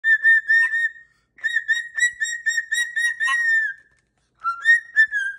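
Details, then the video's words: Pet cockatoo whistling a cheerful tune while dancing, clear whistled notes around a steady mid pitch with bright overtones, quick bursts several per second in three phrases separated by short pauses. "What a Happy Little Tune!"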